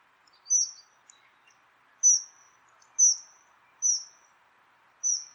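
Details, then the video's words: Dunnock recorded in the wild: thin, high, piercing single notes, each a short downward-slurred tseep, given at irregular intervals about once a second over a faint low hum. "Dunnock Sound – Song & Bird Calls"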